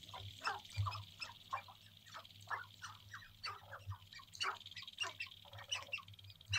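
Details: Several male sharp-tailed grouse in courtship display on an April lek in central North Dakota, heard from a blind just before sunrise: a dense, rapid chatter of clucks, cackles and cooing notes over a constant low hum.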